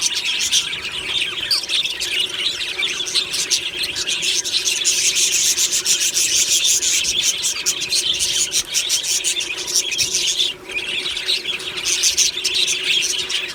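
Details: Budgie colony in an aviary during the morning, singing happily: a long, dense stretch of scratchy, rasping chatter and rapid chirps from many birds, with one short lull near the end.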